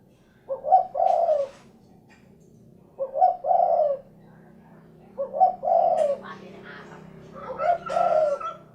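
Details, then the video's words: Spotted dove, known locally as derkuku, giving its cukurukuk kuk geruk call: four low, hoarse cooing phrases, each a short note then a longer rolling coo, spaced about every two and a half seconds, with a soft background hum. "SUARA BURUNG DERKUKU / CUKURUKUK KUK GERUK"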